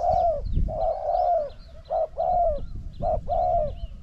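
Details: Spotted dove used as a decoy to lure a wild bird. Rich sustained coos, first a long mellow note, then short-long pairs repeated roughly every second. Light rumbling noise and faint bird twitters behind.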